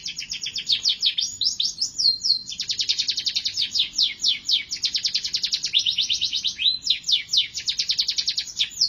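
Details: Canary pouring out an uninterrupted song of rapid trilled tours, each syllable a quick high sweep, the rhythm speeding and slowing across nine seconds.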